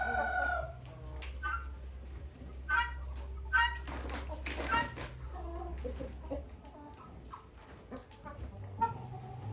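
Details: Guinea fowl, described as extremely territorial, give harsh, repeated calls in bursts.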